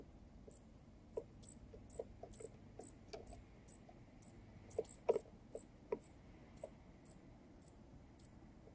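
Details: Young junco being fed by a male at a tiny pub-style feeder on a balcony. High, thin peeps repeat steadily about twice a second over scattered low clicks and taps.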